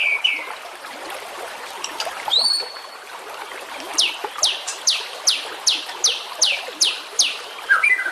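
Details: White-rumped shama song in a training track for competition birds: a few clear whistles, then a rapid series of about eight sharp, falling notes repeated several times per second, ending with another whistle, over a soft hiss.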